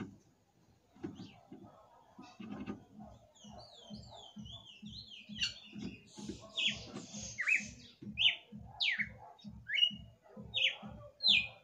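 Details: Red-cowled cardinal kept as a pet, singing late at night: after a quiet start, a series of loud slurred whistles, sharply falling and rising, comes roughly once a second over a steady low rhythmic thumping.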